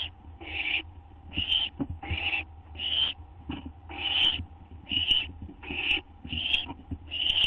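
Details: Owl ready for a food treat of gopher or vole, 12:38 AM, 8 September 2011: harsh hissed screeches, roughly ten in seven seconds at an uneven pace, with faint knocks and a low electrical hum.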